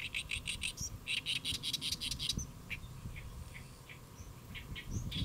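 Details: On a lotus leaf at Saemangeum in Gimje, Republic of Korea, a great reed warbler sings at midday on 1 July 2024: a fast, even series of grating notes for two seconds, then sparser croaky single notes.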